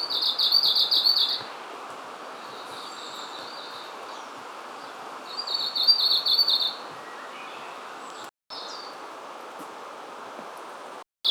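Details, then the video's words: Wild Japanese leaf warbler at Oze, Japan, in mid-August, evening, when the birds grew less wary and came close to people; two loud, buzzy, rapidly rattling high phrases about a second long, separated by a quiet pause with faint birds. "メボソムシクイ 鳴き声"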